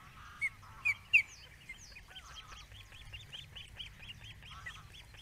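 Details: Father osprey at the nest, recorded by a nest camera: three loud, sharp rising whistles, then a long, quieter series of rapid arched cheeping notes over a low background hum.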